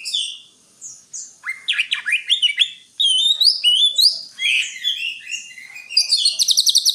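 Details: Energetic greater green leafbird song mixing sharp downslurred whistles, high twitters and liquid phrases, ending in a fast metallic trill of rapid repeated notes.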